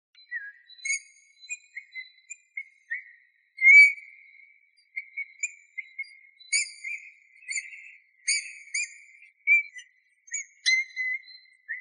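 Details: Eurasian bullfinch recorded in 2018: soft, piping whistled notes of fairly even pitch, given singly and in short bursts with irregular pauses, one louder fluty note standing out, over a silent background.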